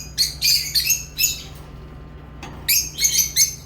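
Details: Lovebirds making rapid, rasping chirps in fast trains, a pause with one lower note, then another quick harsh burst; low hum in the background.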